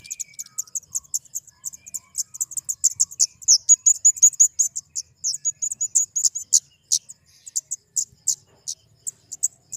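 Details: Flowerpecker producing a long, continuous stream of very high, thin, rapid notes and sharp chips, steady in rhythm with occasional louder accents.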